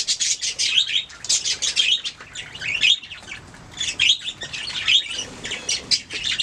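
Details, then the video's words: Budgerigars chirp and warble in bursts of fast high notes, some rising and falling in quick slides, broken by short gaps. "Budgies singing making sounds chirping"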